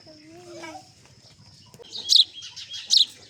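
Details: A Sudan golden sparrow gives bright, high chirps in short bursts, after a few softer lower sounds and human voices, including a child.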